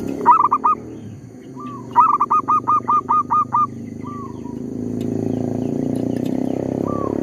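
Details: Zebra dove used as a lure bird for trapping, calling steadily despite a tree squirrel disturbing it; a quick run of about eight clipped, mellow coos follows a short opening phrase, then a single soft coo, over faint low background hum.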